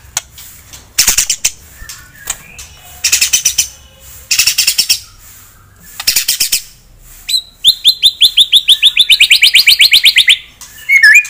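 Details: White-rumped shama, a caged fighter, delivering provocative song to excite a rival: loud harsh rattling bursts repeated several times, then a fast trill of clear notes that slides downward, ending in a short squeaky phrase.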